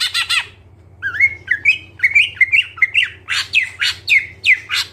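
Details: A greater green leafbird sings in gacor full isian style, opening with harsh squawky notes, then tumbling chattering whistles and loud rasping bursts, with a low hum in the background.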